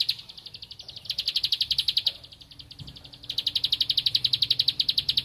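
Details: Bar-winged prinia seeking a rival, singing vigorously: a soft opening run of quick high clicks swells into a loud rattle-like series, pauses near the middle, then resumes at full strength.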